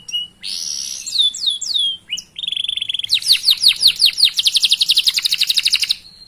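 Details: Canary in lively song, offered as a tutor to make other canaries sing: slurred whistles and a steady tone, then a series of falling notes leading into a fast, even trill.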